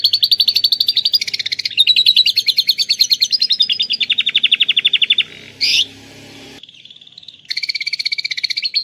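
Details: Atlantic canary singing a rare full lovebird-imitation song, used as a tutor recording or to prompt lovebirds: rapid even chirp trills stepping through pitches, a brief harsh burst, a steady tone, then more trilling.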